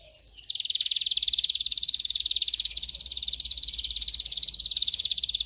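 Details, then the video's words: Training song of a canary: after a brief high note, one long, even, rapid rolling trill pulses steadily for about five seconds at high pitch. "Video for Canary training 25 m. Canary training 0.25 Hour canario canary song"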